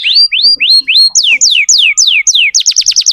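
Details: Tutor song for young canaries: loud whistled syllables, first rising then falling slurs repeated about four times per second, closing with a rapid burst of short sweeping notes.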